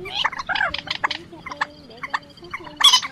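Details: Quốc biển and Trích ré calls used as a night-net lure for migrating birds in March 2024, adult and young birds: harsh, nasal, clipped notes in quick irregular bursts, ending in a louder squealing burst.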